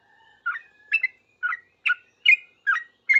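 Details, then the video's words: Sooty-headed bulbul calling back quickly to other bulbuls: seven lively, slurred whistled notes about every half second after a faint thin whistle, each note dipping and rising. "Trucuk gacor paling cepat di respon trucuk lain langsung bunyi ribut ropel"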